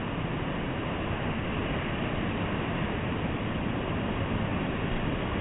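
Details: Unbroken muffled rushing noise, even in loudness from start to finish, with no calls or voices.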